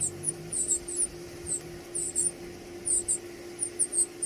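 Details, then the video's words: Baby birds being fed give short clusters of high, thin squeaks at uneven intervals against a noisy indoor hum. "Feeding baby birds"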